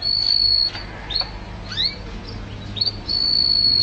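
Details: Canary song meant for training pet songbirds: long piercing high whistles framing a middle section of quick rising and falling chirps and slurred notes.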